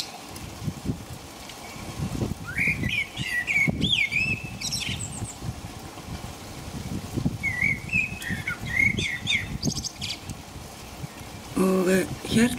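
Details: A common blackbird in England sings in the rain at about 5 a.m. in the dark of night: two unhurried fluty, warbling phrases a few seconds apart, each ending in higher twitters, over a steady rain hiss.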